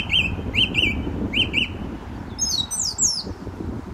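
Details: Male song thrush singing close by from a telephone wire near a gravel pit at St Albans, May 2012: a short bright phrase repeated several times, then high squeaky notes, over a low rumble.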